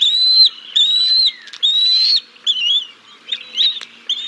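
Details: Bald eagles at the Decorah North nest, 6 May 2022, live cam, during a fish feeding of the chicks by the father and then the mother: long thin whistles, some held nearly flat, others rising, broken by short chittering notes.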